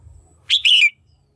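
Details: Kept female Red-whiskered bulbul with a call meant to stimulate males or aid pairing: a single loud two-part call, a brief harsh note then a drawn-out scratchy, slightly descending phrase.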